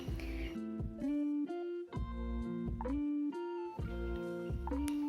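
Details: Plucked guitar music with strummed chords and sustained notes; no animal calls are heard.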